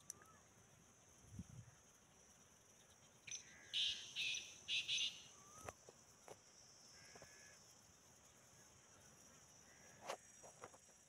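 Black francolin giving one loud, harsh phrase of five or six grating notes, over a steady high insect drone, with a few faint, scattered calls around it.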